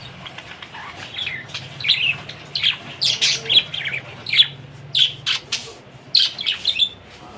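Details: Budgerigar uttering bright, high chirps and short squawks, some in quick pairs, spaced through the recording against a quiet background.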